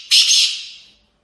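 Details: Black francolin, a kept bird in training, uttering a single loud, harsh, buzzy rasping note lasting under a second that starts abruptly and slowly fades.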